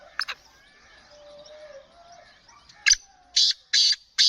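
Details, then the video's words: Black francolin (kala teetar) of the Sheedi strain calling: after faint background chirps and a soft whistle, a burst of loud, harsh, grating notes, the last four hoarse and evenly spaced about every third of a second. "Kala Teetar Sheedi Nasal Black Franclion Voice"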